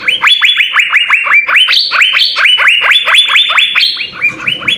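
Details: Asian fairy-bluebird in full song, used as a training recording for songbirds: a fast run of loud, rising-then-falling whistled notes, about two per second, with a few higher notes, continuous throughout.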